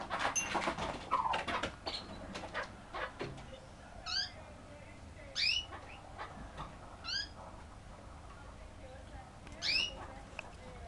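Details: Aggressive Kurdish chukar giving its kaw call: after a burst of clattering and knocks, four separate short, harsh notes with stacked overtones sound at irregular gaps of one to four seconds.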